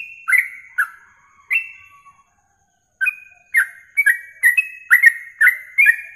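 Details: Masteran of a yellow-vented bulbul for training contest birds: three whistled phrases, a pause of about a second, then an accelerating run of sharp, downward-sliding notes.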